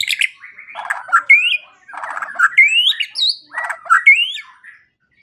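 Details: White-rumped shama song, used as a morning and evening lure to prompt quiet shamas to sing, gives rich, varied phrases mixing buzzy rattles with clear rising whistles, repeated in bursts about every one and a half seconds.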